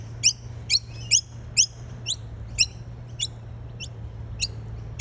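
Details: Noisy miner, a honeyeater of eastern Australia, feeding on nectar: short sharp, high chipping notes, each a quick rising stroke, repeated about twice a second at uneven spacing, over a faint low hum.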